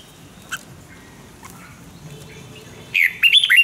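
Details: Red-whiskered bulbul singing as a decoy for voice training: near the end comes a loud, rapid run of bright warbled and twisting notes, following a quiet stretch with a few faint distant chips.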